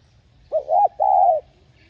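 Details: A spotted dove, recorded to encourage caged doves to call, gives one coo: a brief swelling note that rises and dips, followed by a sustained smooth note that trails off gently.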